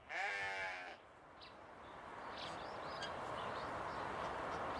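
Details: In an open-air enclosure, a captive swan goose, one of a pair, lets out a loud, wavering, bleat-like honk of nearly a second, then quiet with distant small-bird chirps over low background noise.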